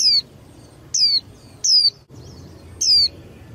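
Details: Four bright descending whistles from a young female white-eye used to stimulate males' contest singing. The notes are short and piercing and come at uneven spacing, with faint chatter behind them.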